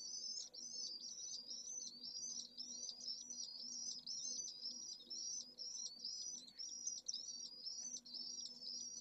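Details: Pallid Swift nest with a single chick in urban Jerez de la Frontera during the hottest heatwave day, 25 August, solar noon above 44ºC; quick repeated shrill chirps, roughly two a second, with low mechanical hum.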